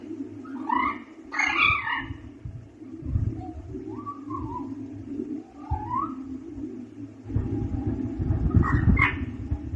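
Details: Baby pet parrot kept indoors, just beginning to learn to talk: short squawky chirps and warbling, rising-and-falling babbles in bursts over about ten seconds, with low handling rumbles and a steady room hum underneath.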